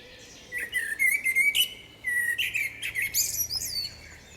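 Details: Common Blackbird singing a rich, varied melody: two bursts of fluty warbled notes, each breaking into high, squeaky twittering flourishes, separated by a brief pause in a quiet setting.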